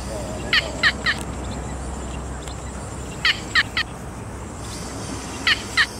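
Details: A yellow bittern gives harsh, clipped kek notes in quick bursts of two to four, about three per second, over a steady background hiss.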